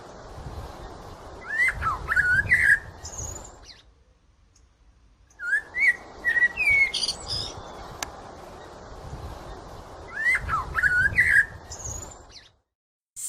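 A blackbird sings three mellow, fluty whistled phrases, each ending in a squeaky high twitter, separated by short pauses, over a soft hiss of background noise.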